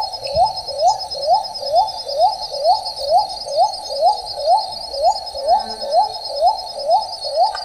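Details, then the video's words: A shy little cuckoo-dove in the shade of forest gives a steady series of short, low, upslurred notes, about two per second, over a constant high-pitched insect drone. "Little Cuckoo Dove/Uncal Kouran"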